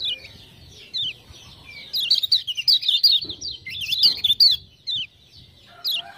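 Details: Lemon-bellied white-eye from Lombok in full chattering song, prompted by ciak-ciak lure sounds: rapid high twittering notes sliding up and down, bursts of dense chirps mid-clip, with faint low rumble beneath.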